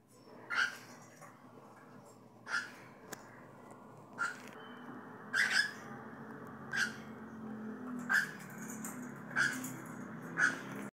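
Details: Cockatiel repeating short, sharp chirps roughly every one to one and a half seconds, about nine notes, some doubled, each bright with ringing overtones, against a soft continuous background rumble.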